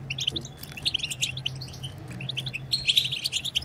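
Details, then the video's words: European goldfinches in a lively twittering chorus, the bteta style meant to stimulate silent goldfinches into singing: dense, quick high chirps and short trills repeating irregularly, with a steady low hum underneath. "هيجان خرافي وتحفيز من أول دقيقة بتبتة حسون خرافية لن يهدأ حسونك بعد سماعها قل وداعا لصمت الحسون"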